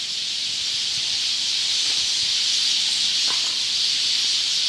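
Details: Large flock of Eurasian tree sparrows gathered in a park tree in the evening, noisily calling, recorded from directly beneath: a dense, continuous high chattering chorus with no single call standing out.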